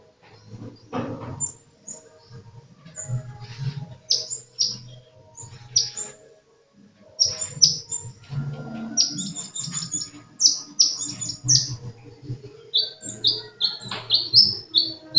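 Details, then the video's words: Sunbird in vigorous song: bursts of thin, high chirps, each sweeping sharply downward, in quick clusters separated by short pauses, over a steady low hum and faint background rustling. "Burung kolibri gacor"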